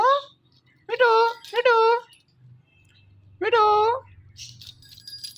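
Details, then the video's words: A green Indian ringneck parrot calls 'Mithu Mithu' in a high, nasal talking voice: three clipped, word-like syllables over three seconds, then faint tinkling. Rose-ringed parakeet. "Indian Ringneck Parrot Calling Mithu Mithu"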